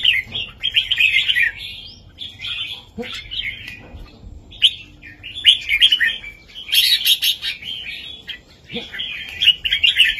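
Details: Red-whiskered bulbul performing a southern-style master song meant for tutoring young birds; loud, rich warbling phrases of liquid notes come in bursts about every second or two, some with sharp high accents.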